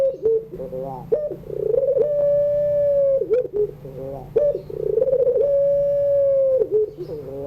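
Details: Puter pelung dove singing in the evening in the crying style meant for birds still learning: two full phrases, each a throbbing rolling coo rising into a long flat note, separated by short wavering dips; low background hum.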